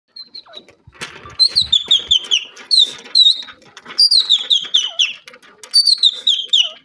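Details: Grey francolin, also called grey teetar, calling: loud, high, ringing phrases of repeated descending notes, delivered in three bursts with short pauses between, over faint background chirps.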